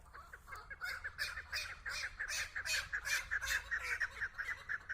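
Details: Hunting decoy chukar partridge calling in front of a female: a fast run of harsh, clucking notes that rise in loudness and repeat about two to three times a second, with a low hum underneath.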